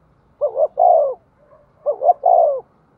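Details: A decoy spotted dove calling to stir up wild doves. Two phrases, each a quick rising double note followed by a drawn-out, downslurred coo, are separated by a soft faint note. The background is silent.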